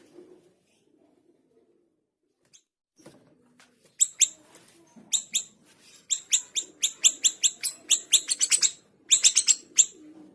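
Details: Small minivet in lively song: after a few seconds of near quiet with faint low sounds, a dense run of sharp, high, ringing chirps builds and quickens, some notes tightly doubled.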